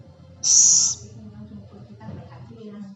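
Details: A single loud, breathy hiss of about half a second from a scops owl (celepuk), followed by quiet low background murmur.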